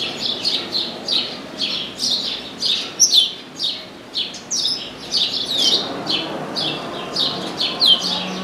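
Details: Chestnut-capped blackbird, perched in an orange tree, delivering a long string of short falling whistles in steady rhythm, with occasional thin sharp high notes.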